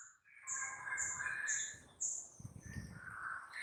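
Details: Sooty-headed bulbul song used as a lure to provoke a rival bird into answering: bubbly, liquid phrases of mid-pitched warbled notes with bright high whistled accents, repeated in quick succession, with some low rumbling background noise.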